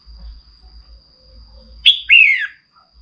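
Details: Female red-whiskered bulbul calling to stir a male into singing: after quiet low rumbles, one bright two-part phrase, a sharp high note then a longer descending whistled slur, over a faint steady high tone.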